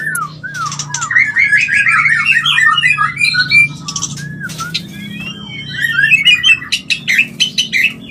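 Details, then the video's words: White-rumped shama calling to stimulate mating, with a quick tumbling series of slurred whistles, then a long drawn whistle and scattered sharp ticks, above a steady low hum. "Suara Panggilan Kawin yang Paling di Suka Murai"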